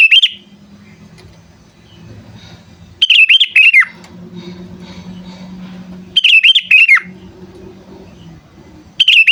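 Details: Sooty-headed bulbul calling, a recording meant to lure and train birds; bubbly, warbled phrases of rising and falling notes, each about a second long and repeated roughly every three seconds, with a low hum between phrases.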